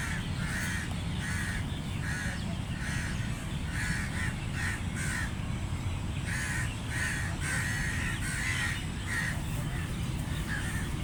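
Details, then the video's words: Feeding crows call in a loud chorus of rough, nasal caws in quick irregular bursts, some doubled, throughout, with a constant deep rumbling background noise. "Crow Sound Effect Loud | Crow Feeding Sounds"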